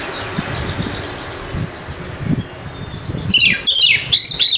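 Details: Kacer (Oriental magpie-robin) lure song for birds reluctant to sing: three seconds of low rumbling background noise, then a sudden loud burst of sharp, high whistled notes and chirps.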